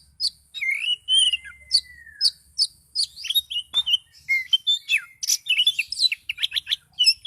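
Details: An Oriental magpie-robin, excited and agitated, pours out a dense run of high chirps and whistles, including one long smooth whistle early on, and becomes rapid and twittering toward the end.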